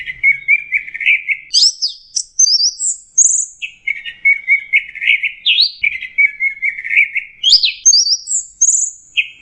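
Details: Orange-headed thrush lure song for birds that are stressed and quit singing: warbling lower passages broken by sudden high, sweeping whistles, the sequence repeated twice in close succession.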